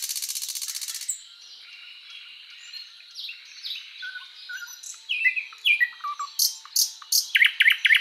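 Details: {'__c': 'Thrush Nightingale singing a phrase that starts with an even buzzing rattle, drifts through soft descending whistles, and ends in loud, evenly paced sharp notes.'}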